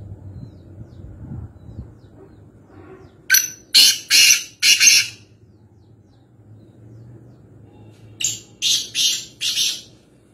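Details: Black francolin, known locally as kala teetar, calling near Nawabshah: two bursts of three to four harsh, high, grating notes in quick succession, separated by several seconds of quiet low rumble.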